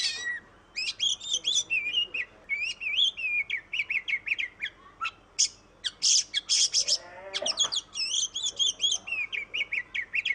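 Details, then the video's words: Oriental magpie-robin in full song, used as a lure to prompt other birds to sing: varied whistled phrases mixed with harsh buzzy bursts and rapid chirps, delivered in quick repeated bursts with few pauses. "Suara burung kacer Kacer ngoceh Kacer gacor"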